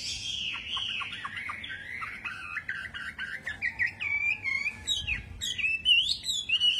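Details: Wambi bird singing energetically: a fast, varied warble of high whistled and chattering notes, with some notes sliding up and down, growing louder and more broken toward the end.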